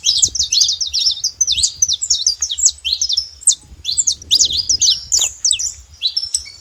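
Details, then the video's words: Wild saffron finches singing freely in nature: a steady chatter of high, sharp chirps and short downward whistles, nearly continuous and slightly layered, with a soft low hum beneath. "canarinhos da terra livre na natureza"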